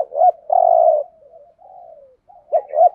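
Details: Spotted dove 'thúc gù' cooing, 'giọng Thổ' voice, used to lure birds into traps: a short note and long low coo, a faint wavering murmur, then a fresh pair of clipped notes.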